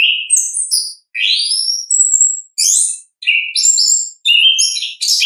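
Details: Orange-headed thrush singing ngeplong: fast, varied high phrases, with rising slurred whistles, buzzy bursts and chirps in short groups with brief gaps.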